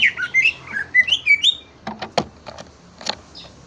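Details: Greater green leafbird song: a varied string of clear, high whistled notes, each rising or falling, followed by several sharp clicking knocks.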